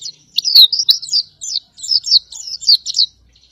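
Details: Oriental white-eye, a cage bird, singing as a master song for training other birds: rapid high twittering notes in two bursts of quick, chattering phrases with a short pause between them, clean background.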